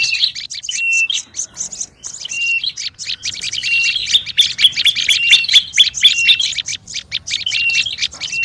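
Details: Olive-backed tailorbird calling noisily as a lure: bright high chips and short flat whistles, building to a dense burst midway, with thin high ringing notes layered above.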